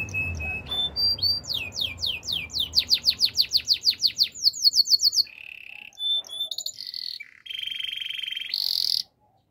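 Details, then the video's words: A canary practising training song opens with brief whistles, then rattles off a rapid series of sharply falling notes, about five per second, before switching to low rolling buzzes and a final shrill whistle. "Bird sounds canary chirping! Canary training song"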